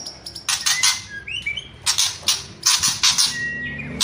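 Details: White-rumped shama in kretekan and whistled song: groups of gritty rattling bursts separated by short rising whistles and one longer level whistled note.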